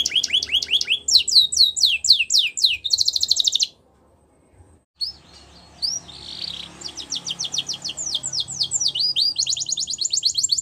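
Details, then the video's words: Canary song in the wild with quick repeated notes, a short silent break, then fresh tours of rapid trilled syllables in a steady stream. "Melodies Canary In The Wild"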